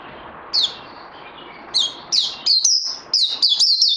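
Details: Bird recorded 18 May 2020 while still in training, giving scattered high whistled notes at first, then a faster run of clear, dropping whistles near the end.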